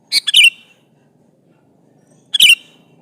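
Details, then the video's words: Sooty-headed bulbul singing actively to call an opponent, meant to lure rivals into answering: a quick bubbly three-note phrase, a two-second pause, then a similar bright whistled phrase, against a quiet background. "Semua kutilang NYAUT , di pancing Suara burung kutilang gacor memanggil lawan ini"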